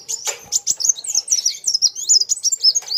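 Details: Competing with a rival, a sunbird delivers rapid, piercing high notes, zigzagging up and down in a crowded, energetic chatter, opening with a couple of sharp clicks.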